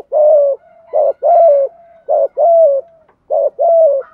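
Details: Cooing spotted dove, a recording for stimulating decoy birds: steady deep coo phrases, each a short note and a longer falling one, repeated roughly every 1.2 seconds, with soft connecting notes.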